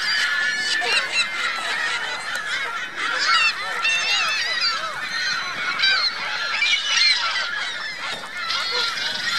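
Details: Geese with goslings at Virginia Lake in Reno: a dense, steady chorus of nasal honks layered with many short, arched, high peeping calls overlapping throughout, with no pauses.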